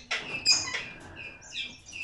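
Major Mitchell's cockatoo giving three quick, harsh, rasping screeches in the first second, followed by thinner, high, wavering squeaks.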